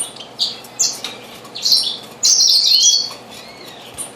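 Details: Diamond firetail at a bird bath on 4 June 2013: several short high notes, then one long, drawn-out whistled call held for most of a second with a slight wavering, plus thin high chirps around it.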